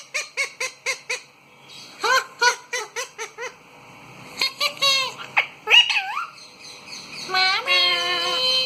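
A parrot gives quick bursts of short, nasal, harmonic squawks, then squeaky whistles that rise and fall, ending in a drawn-out wavering note.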